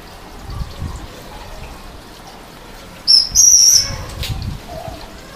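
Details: Subadult common swift (Apus apus) searching for a nest site under a terrace roof in Leuven, Belgium, gives a single shrill, buzzy, very high scream under a second long, over a low background rumble, on 25 June 2018.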